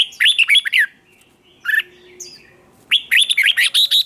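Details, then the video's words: Red-whiskered bulbul in a singing contest, giving rapid sequences of warbled, rolling whistled notes, a brief pause with a faint steady tone in the background, then another fast run of bright notes. "Chào Mào Kích Bổi Nhanh Ra Giọng | Kích Chào Mào Hót Đấu. Chào Mào Kích Trống Hót Căng Lửa."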